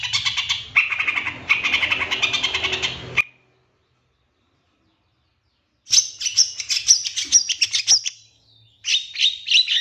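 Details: Long-tailed shrike master song to provoke other birds: about three seconds of harsh, rapid chattering, a long silence, then fast high twittering phrases packed with quick notes.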